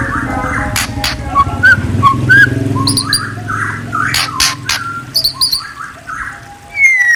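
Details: White-rumped shama (murai) singing: short clear whistled notes, some rising or slurred, mixed with sharp clicks and chirps, over a loud continuous low rumble, ending with a high thin whistle.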